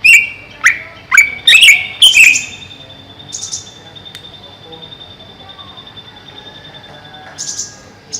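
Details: Greater green leafbird in a cage kept over a pond: a lively run of five loud, sharp whistled notes with falling slurs, then quieter high chips and a brief buzzy phrase near the end.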